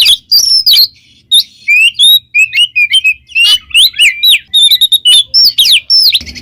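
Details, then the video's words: Oriental magpie-robin song in the loud, continuous 'gacor ngeplong' style, used for training pet birds: rapid varied clear whistles, sharp upslurs and chattering notes, with short pauses between dense phrases. "SUARA burung Kacer GACOR NGEPLONG"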